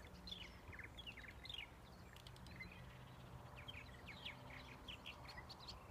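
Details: Purple martin song: faint, scattered chirps and gurgling notes in quick irregular bursts throughout, over a steady low hum and background noise.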